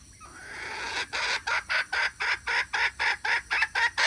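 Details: Wild hen of the red junglefowl calling to attract males: after a rising noisy onset, a regular series of about a dozen coarse, grating clucks, spaced roughly a third of a second apart.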